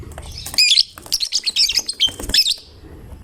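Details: Lovebird of fighter type singing prolifically to prompt other lovebirds to sing; a rapid run of shrill, squeaky twittering notes with sharp whistled squeaks, nearly continuous for about two seconds.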